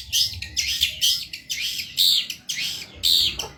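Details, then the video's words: Long-tailed shrike, intensely gacor cendet masteran, giving loud scratchy rasping notes roughly once per second, each a broad harsh burst, with a low background hum. "MASTERAN BURUNG CENDET GACOR PARAH"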